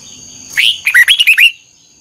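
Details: Red-whiskered bulbul sings a single lively phrase of about one second: an opening upslurred whistle, then a quick run of looping, warbled notes, clear over a soft high background hiss.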